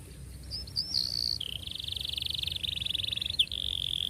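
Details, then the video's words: Canary rolling its song in tight, close-set rolls, used as a lure for young canaries to learn: a brief whistle, then long steady high trills shifting pitch, with faint insect-like background hiss. "KENARI GACOR PANJANG cuit cuit Ngerol Rapat Paling Dicari Untuk Pancingan Kenari Paud Belajar Bunyi"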